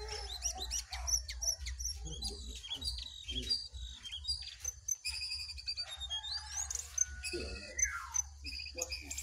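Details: Wild jongkangan and caged jongkangan in a song duel. Dense bursts of sharp chirps and quick whistles are followed by rising and falling slurred notes and a clipped repeated high note, all over a low hum.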